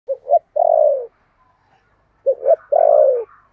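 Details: Spotted dove kept as a decoy to lure wild birds, singing in the 'thổ' voice style: two short low coos followed by a long, slightly falling coo, phrase given twice with a pause between, in a quiet setting.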